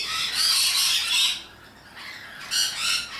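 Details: Harsh, high screeching from rainbow lorikeets, noisy Australian parrots. A long rasping burst lasts over a second, a quieter lull follows, then another short loud shriek.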